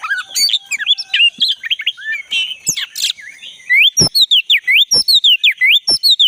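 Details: Black-breasted white-rumped shama, wild forest recording used to stimulate a caged shama that has stopped singing: a lively run of varied chirps and scratchy notes, then a string of clear upslurred whistles repeated about once a second, with faint insect hum.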